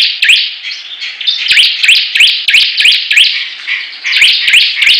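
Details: Bar-winged prinias singing in competition, sharp rising chirps delivered in quick series of about three per second, with a brief lull mid-way and constant high buzzing from other birds.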